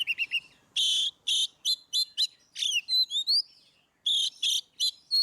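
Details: Oriental magpie-robin singing in the ngeplong style, used as training audio to prompt caged birds that rarely sing; bright whistled notes mixed with loud buzzy harsh bursts and rising slurred phrases, delivered in quick varied bursts.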